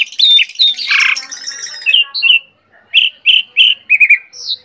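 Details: Asian pied starling (jalak suren) in vigorous gacor singing: a run of clear whistled notes and chattering bursts, a pause, then a string of short repeated rising chirps ending in a high thin whistle.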